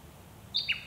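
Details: One of a Nankeen kestrel (Falco cenchroides) pair, filmed up close at Scheyville National Park, NSW, in June 2017, gives two quick, shrill notes, the second slightly lower, over a soft low hum.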